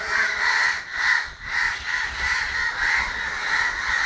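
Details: Harsh, raspy cawing from many crows at once in Kerala, recorded 9 December 2012, forming a continuous grating wall of sound that pulses slightly louder and softer every half second or so.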